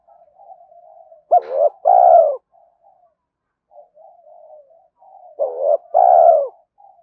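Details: Spotted dove cooing to excite and train decoy birds: soft low murmurs, then two full phrases several seconds apart, each a rising note, a short hoot and a long deep coo.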